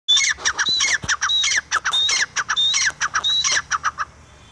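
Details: Francolin (teetar) calling: harsh, rasping squawked notes in quick clusters, each with a thin whistled tone, about 94 notes a minute with short pauses between phrases and no other clear sounds.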